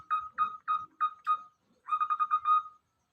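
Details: Local zebra dove, a tepuk-collared bird found in the middle of a rice field: soft cooing notes repeated about every third of a second, then a pause and a quicker rolling burst ending in a drawn-out coo.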